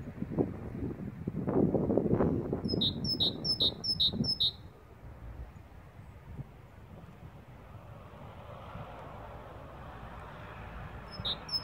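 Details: Great tit giving a short run of see-saw two-note whistles, high then lower, repeated briskly, while a loud low rumble fills the background before fading into steady hiss, then another phrase begins at the end.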